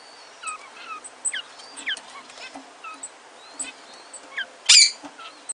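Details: Cinnamon king quail pair with four cinnamon chicks, captive-bred: thin, high peeping notes sliding downward, repeated every fraction of a second, with one louder harsh burst near the end.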